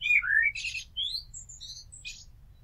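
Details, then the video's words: Blackbird song phrase: a short falling fluted whistle followed by thin, scratchy high-pitched twittering that fades away, recorded close with low background rumble. "Amsel Gesang - Merle Noir Chant - Blackbird Song - Mirlo Cantando"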